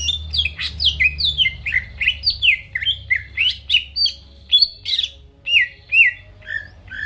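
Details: Greater green leafbird singing a lively sequence meant to spur rival birds into song: rapid run of slurred whistled notes, each dropping sharply in pitch, repeated about twice a second, ending in softer chirps.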